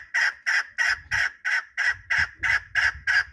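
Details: Chukar partridge giving a steady series of loud, harsh chuck notes, about three per second, evenly spaced and all at one pitch, with faint low rumbling in the background.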